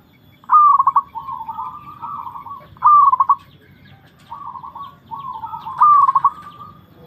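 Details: Perkutut, or zebra dove, in a mental test, giving three trilled, stuttering coo phrases roughly every 2.5 seconds. Quieter, smooth cooing notes link the phrases against a faint low background rumble.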